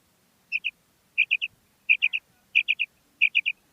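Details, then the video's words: Common quail, known locally as batair and described as a female calling: crisp three-note phrases, high and clipped, repeated five times at roughly two-thirds-second intervals in near silence. "Common Female Quail Calling"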